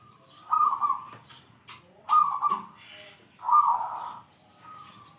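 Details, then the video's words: Zebra dove in strong voice with a big 'kung' sound, calling out rivals, used to train other doves: three short rolling trilled coos about one and a half seconds apart, with a few clicks between them. "PERKUTUT GACOR SUARA KUNG BESAR ,,, PALING PANDAI MEMANGGIL LAWAN"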